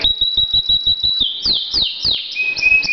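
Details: Caged pet canary in full song, a loud singer heard almost all day: a steady run of clipped repeated notes over a high held tone, then several sweeping downward whistles and a thin sustained note.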